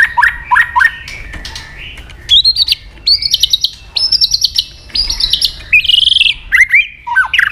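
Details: White-rumped shama song meant to provoke aggression, a rich varied run of short slurred whistles, sustained high notes and a buzzy trill, delivered in rapid changing phrases.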